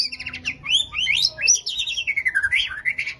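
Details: White-rumped shama singing a dense, rapid phrase of varied whistles, trills and chattering notes that sweep up and down without a break, strong and continuous throughout.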